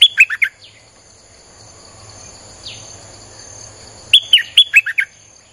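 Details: Lively Streak-eared bulbul song for attracting wild birds: a short chirpy burst opens, a long quiet stretch follows with one faint slurred note, then another rapid string of bright, falling notes. A high steady hum persists throughout.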